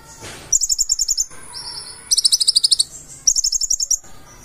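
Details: Purple-throated sunbird (konin), gacor full-isian song: rapid shrill trills in three bursts with a thinner sliding whistle between them and a brief low scratchy sound at the start.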